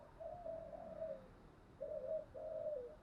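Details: Spotted dove lure cooing meant to attract wild doves, thúc gù and gáy gọi styles; faint mellow coos in two groups, a long wavering coo then two shorter level ones, over steady low background hiss.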